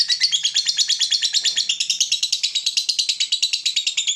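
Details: Lovebird ngekek meant to draw in and tutor other lovebirds: a fast, unbroken string of sharp, piercing high chattering notes, evenly pulsed about three times per second.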